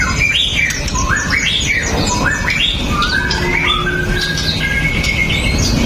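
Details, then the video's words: Caged male white-rumped shama singing to provoke other males: a run of rising, looping whistled phrases, some buzzy and squeaky, delivered continuously over steady background hiss, recorded on a phone. "MURAI BATU PASTOL JAHAT BIKIN MURAI LAIN TIDAK BISA DIAM!"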